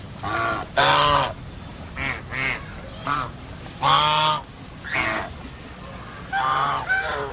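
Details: Geese calling with loud, harsh, nasal honks in irregular bursts, some short and clipped, others drawn out about half a second, with quieter honks between; a low steady hum runs underneath.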